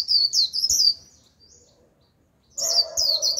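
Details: A white-eye lure bird sings high, rapid twittering phrases in two bursts around a brief pause, with a lower buzzy hum under the second burst, calling wild white-eyes, which come in a flock.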